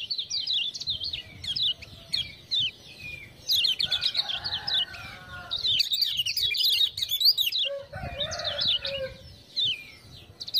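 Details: Kept Lemon-bellied white-eye from Lombok singing as a tutor bird after ciak-ciak prompts: continuous high twittering runs of short slurred notes, with intermittent lower chattering sounds in the background.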